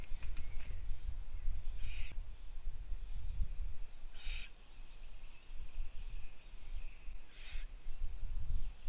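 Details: Owlets in a nest, young ones near leaving, with the female absent for two days; three short raspy hissing bursts spaced about two seconds apart over steady low rumbling background noise.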